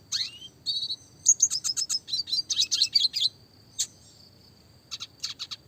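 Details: Classic red siskin song, clear and lively, 'roll tembak' style for songbird training: a rising whistle, buzzy notes, then a fast chattering run, followed by scattered high chips.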